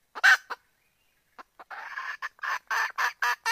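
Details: Hen junglefowl calling a cock bird to mate, luring him to approach: a sharp loud double note opens, then after a gap a quickening sequence of rough clipped clucks.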